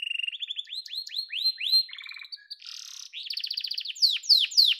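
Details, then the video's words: Yellow canary sings a rising series of upward-swept chirps, slides into a short low trill and a soft harsh burst, then bursts into loud, rapid, falling high notes. "Muhteşem Kanarya Sesi: Sarı Kanarya'nın Efsanevi Ötüşü"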